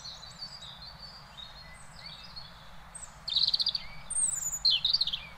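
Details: European robin singing in Beverwijk, the Netherlands: soft thin whistles first, then louder rapid trilled and warbled phrases, high and sweet, with steady low background hum.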